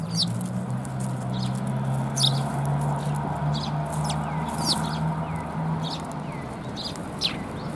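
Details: Eurasian tree sparrows visiting a Tenmangu shrine for food on 10 January 2022 chirp repeatedly in short high notes, some slurred downward, over a steady low droning hum in the first half.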